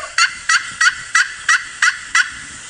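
A turkey gives seven sharp, raspy notes in an even series, about three per second, against a quiet background.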